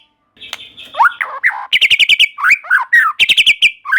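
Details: Full, busy song of a white-rumped shama, played to trigger other shamas into song. Swooping whistles mix with rattling runs of quick high notes and buzzy trills, packed closely with hardly any pause.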